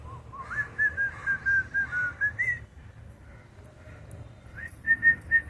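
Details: Lutino cockatiel whistles a run of clear, bright notes, pauses, then adds a few more.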